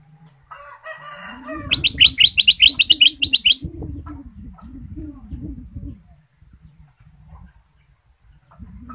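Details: Sooty-headed bulbul (kutilang emas), a lively male used as a lure bird, gives a fast run of sharp, bright chirps repeated about five times a second, after a short buzzy rattle, over low hen-like clucking in the background.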